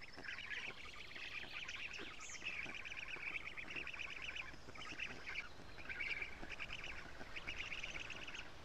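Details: Black stork nestlings at a nest in Estonia on 14 June, being fed lampreys by a parent; rapid repeated nasal chattering calls in bursts, several young calling together, steady background hiss.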